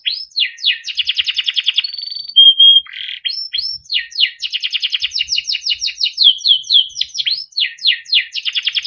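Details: Melodic song of a yellow Timbrado canary: dense rolling trills alternate with a few pure held whistles and bursts of rapid repeated notes, high and nearly unbroken throughout.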